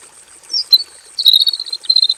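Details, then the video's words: Male robin singing in a simple aviary, giving a long rolling full song; brief high whistled phrases with a falling slur, then a dense run of sharp chirped notes near the end over a steady high-pitched whine. "KICAU BURUNG ROBIN JANTAN GACOR NGEROL PANJANG FULL ISIAN DI KANDANG AVIARY SEDERHANA"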